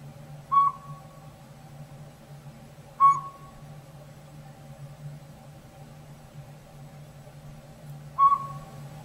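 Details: A single robin-sized Northern Pygmy-Owl, apparently settled in an old sapsucker hole in a hollow rotted tree in backyard woods, calls with three short, level whistled toots at uneven gaps of about three to five seconds. A low steady hum runs underneath.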